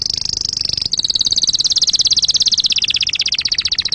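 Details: Canary song for tutoring chicks and for mating: a sustained, rapid, high trill that changes tempo after a brief break, then rolls on as steady repeated pulses, dipping slightly lower toward the end.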